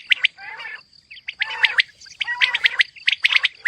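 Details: Female quail calling: alternating sharp high chirps and lower, buzzy, nasal bursts, about one group per second, with a steady faint whine behind.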